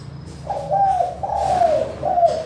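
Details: Spotted dove singing in the crystal-clear manggung style, used as a lure for reluctant doves: three smooth, low, gently falling coo notes in quick succession, with soft background noise.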